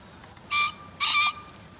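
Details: Green pheasant crowing from a field-guide recording, a pair of hoarse, ringing notes about half a second apart, the second longer and louder, over a quiet hiss.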